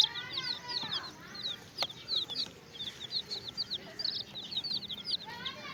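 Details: Chicks kept with a hen give a steady stream of high, short piping peeps, overlapping and rapid, with a sharp click partway through and lower background noise.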